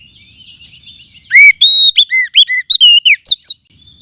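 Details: Oriental magpie-robin from the forest, a lure sound for tutoring birds. Soft twittering is followed by one loud phrase of clear looping whistles and sharp chirps lasting about two seconds.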